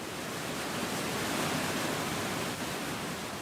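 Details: Steady rushing water, like a waterfall or fast stream, fills the whole recording with broad, even hiss and no animal voices.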